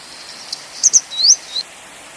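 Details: High-pitched Grey Wagtail call: twin sharp notes, then a climbing whistle ending abruptly, followed by a brief softer note; quiet surroundings.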